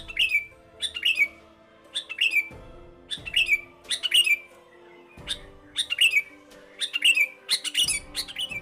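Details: A sooty-headed bulbul, a dawn singer, gives loud, bubbly, fluty phrases about once a second, each a quick rising-and-falling burst of notes, with soft music humming underneath.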